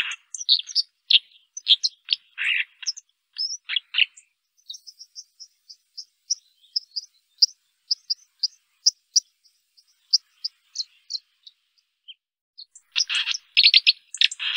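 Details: White-throated dipper song: scratchy grating phrases open and close the passage, while the middle holds a long series of thin, high, sharp notes repeated about three times a second; otherwise quiet.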